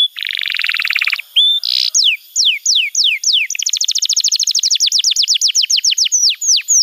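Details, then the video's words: Training song of a canary for young birds: a buzzy rolled trill, brief whistles, spaced falling sweeps, then a quick rattling trill ending in slurred downward notes. "Masteran Kenari PAUD & Pancingan Kenari MACET BUNYI‼️"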